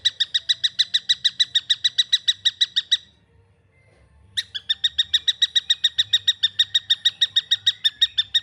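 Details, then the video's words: Young long-tailed shrike calling: a steady string of scratchy, buzzy notes repeated rapidly for three seconds, then over a second of silence before the harsh series starts again just as quickly. "SUARA ANAKAN TENGKEK BUTO"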